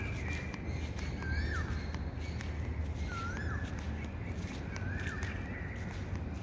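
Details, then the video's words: Birds chirping outside: three clear, downward-sliding whistled notes about two seconds apart, with faint higher chirps between them, set against a heavy low droning background. "birds chirping sound"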